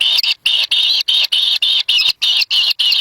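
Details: At a wild nest, kingfisher young scramble for a black lizard delivered by a parent. They give a rapid run of grating, hissy high calls, each a short buzz, about three or four per second, with no other sounds.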